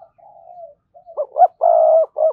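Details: Decoy spotted dove, played to make wild doves coo: a faint drawn-out low note, then a short note, a rising note, a long rolling coo and a final arched coo.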